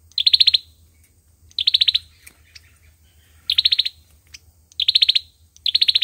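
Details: An Olive-backed sunbird's fighting song, used to lure birds into traps, made of five piercing, rapidly pulsed trills with irregular spacing and some faint high ticks between them.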